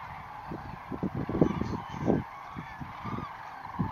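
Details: Common cranes rising at dawn from Lac du Der on 19 November 2016: a dense flock chorus of short, low honking calls overlapping throughout, with louder bursts near the middle over a steady rushing background.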